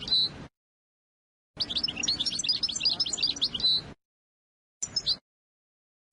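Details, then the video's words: European goldfinch song for tutoring young birds and readying females: a long, lively twittering phrase of sharp chirps and trills, followed by a few short fragments of song separated by silence. "اجمل تغريد للحسون ( المقنين ) لتعليم الفراخ الصغيرة"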